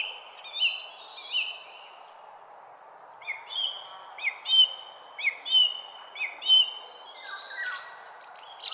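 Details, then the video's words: Garden songbird singing a series of high, clear whistled notes, short phrases repeated about once a second, some with quick upward flicks, over a steady low background hiss. "GARDEN BIRD SONG"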